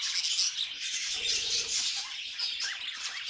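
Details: Pet budgies' lively warbling, fast squeaky twitters and short rising whistles piled over one another in a constant, excited chorus.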